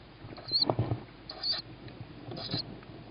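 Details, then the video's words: Young tawny owl begging at feeding time, 21:38 on 21 May 2017; three drawn-out high hoarse squeals about a second apart, with loud rustling and scuffling under the first. "Tawny Owl-Small hears Mom,first food for sib on roof,then feeding"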